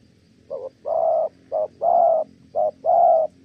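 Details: Male spotted dove in Kon Tum, Vietnam, praised for its fine voice, cooing: three pairs of a clipped note followed by a longer, drawn-out hollow coo, evenly paced, nothing else audible.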